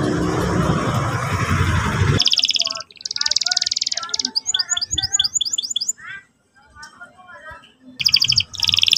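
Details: Young canary singing, used as a lure to stir another young canary into song: after a burst of broad noise, bright high rapid trills and quick repeated chips alternate with lower warbled notes and short pauses, ending in another buzzy high trill.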